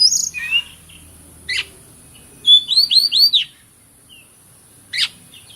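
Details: Oriental magpie-robin (kacer) sings a few harsh notes, then a fast series of four looping whistled phrases, followed by a rasping burst, over a steady thin hiss.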